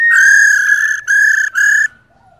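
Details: Female white-cheeked laughingthrush giving rò calls to prompt male birds to sing: three loud, flat, rich whistled notes, the first long and the next two shorter, then a faint trailing note.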